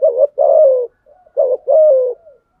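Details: Spotted dove challenge coo, used to provoke other doves to call: two quick deep coo phrases, each a short throaty note then a longer, steady, gently falling hoot, with a faint murmur between them.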